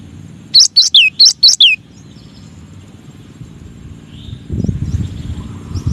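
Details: A short rapid burst of high, sharp cinereous tit notes, gelatik batu masteran song, with chirps and falling slurs, followed by several seconds of quiet background and a low rumble near the end.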